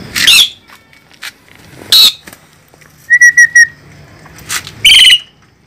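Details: Asian pied starling, described as fierce, giving scattered harsh rasping bursts and a short series of four clear, even whistled notes, separated by quiet gaps.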